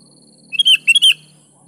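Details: Lively gacor song of a sooty-headed bulbul, played to coax silent bulbuls into singing: two quick bubbly whistled phrases, each opening with short chirps and rising into a bright, slurred note.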